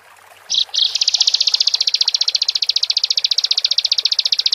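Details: Bar-winged prinia giving two short high bursts, then launching into a sustained rapid trill of shrill, evenly spaced chip notes.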